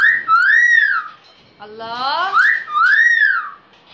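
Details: A Pakistani talking myna imitates human speech ("Allah", "pani bhar do") in a quiet room: two clear, arching whistled phrases rising and falling, with a rougher, voice-like rising word between them.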